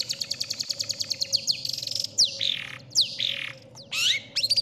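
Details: Contest-style long-tailed shrike tutor song: a rapid stuttering train of high sharp notes, then longer falling buzzy slurs and a rising whistle, all over a constant low hum.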